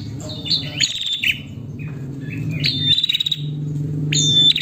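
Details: A female prinia calling to attract the male utters piercing high chirps that slide downward, in loose groups, plus fast ticking pulses, against a soft low hum.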